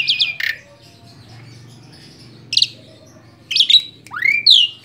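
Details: Tame Asian pied starling kept as a pet, giving scattered bursts of shrill chattering notes and a couple of sweeping whistles that rise then fall, separated by short quiet gaps.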